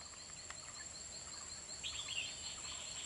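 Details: Red-whiskered bulbul used as a decoy singing to lure wild birds into a trap, Kim Bôi, Hòa Bình, Vietnam, late afternoon, 30 March 2021; a short bright warbled phrase over a steady high insect whine and faint repeated chirps.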